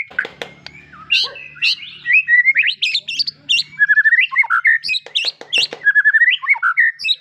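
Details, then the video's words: White-rumped shama song: a rich, varied stream of fluid whistles, quick trills and sharp notes, constantly changing phrases with a faint low hum underneath. "suara kicau murai batu"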